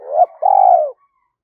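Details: Spotted dove used as a lure to train young captive doves to coo: a short rising note, then a longer steady, slightly falling mellow coo, in a clean recording.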